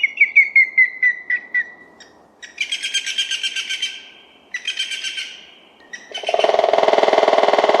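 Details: Grey-headed woodpecker, an ant-eater of Finnish forests, gives a quick run of whistled notes that fall in pitch and slow to a stop, "starting fast then giving up", followed by harsh rasping bursts and loud noise.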